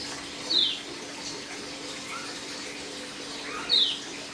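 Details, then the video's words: Dakun white-eye kept in a cage, third day of dew conditioning and starting to chirp ('ngeriwik') though still aggressive: two piercing, high, falling chirps about three seconds apart against a steady rushing background. "Burung pleci dakun hari ke 3 proses pengembuban, mulai ngeriwik dan bukpar"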